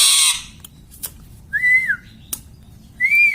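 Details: Pet talking parrot indoors: a short harsh burst, then two clear whistled notes, the first arching and falling, the second rising, separated by faint clicks.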